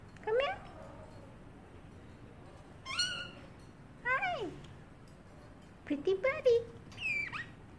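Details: Caged pet parrotlet imitating a cat: a series of arched, falling meows roughly every one to two seconds, some clipped and doubled, ending with a higher, thinner mew, indoors and otherwise quiet.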